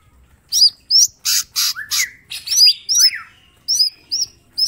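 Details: Energetic mini green leafbird master song with sharp bursts: loud broadband harsh notes, swooping whistles and repeated high hooked chirps spaced roughly every half second.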